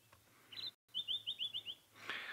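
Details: A white-browed scrub robin calls at dusk on 26 November 2016, sitting in the open at the edge of a thicket. It gives a quick run of six high, sweet, evenly spaced notes after a brief opening note. The species is a noted mimic.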